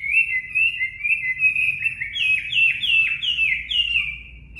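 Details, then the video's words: Chinese hwamei, a natural-voiced 'mộc' bird, singing for caged-bird voice training: long, level whistled notes, then a run of stepped, repeated phrases that rise higher and fall back, clear and loud against a quiet, low background hum. "Luyện giọng Họa Mi mộc"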